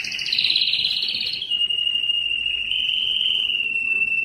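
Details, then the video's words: Belgian canary singing loudly to attract females for breeding: a dense buzzy trill for over a second, then a long, nearly level whistled note held to the end. "O canto mais forte do canário belga que atrai as fêmeas para a reprodução"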